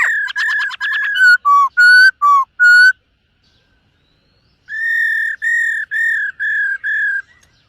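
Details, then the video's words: Silver-eared laughingthrush training its voice in the morning, singing and dancing: a fast rattled whistle leads into short alternating high and low whistled notes, a pause, then six even, level whistles. "Khướu BẠC MÁ hót MÚA luyện giọng . Khướu hót sáng luyện giọng kích bổi"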